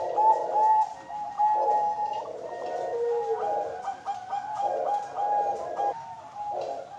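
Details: Captive-bred female zebra dove of the Bangkok type, hatched 31 October 2022 in Kediri, East Java, Indonesia, cooing in soft rolling phrases of mellow notes broken by brief pauses.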